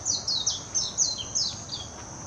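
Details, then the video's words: Warbling white-eye, Hashimoto, Wakayama, Japan, 26 June 2021, recorded on a Nikon Coolpix P900: fast, high, chattering warble of dropping notes, several run together, with a faint constant high-pitched buzz. "メジロ さえずり 姿 鳴き声 warbling white-eye song"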